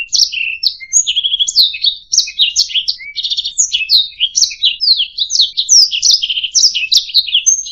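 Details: Training song of a canary for songbirds to copy: rapid chattering warble mixing buzzy trills, clipped chirps and thin rising and falling whistles, steady and loud.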